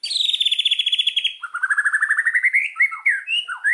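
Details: Lure song of an Indonesian white-rumped shama: a fast, high rattling trill, then a lower trill rising steadily in pitch, ending in varied sharp whistles and upslurs.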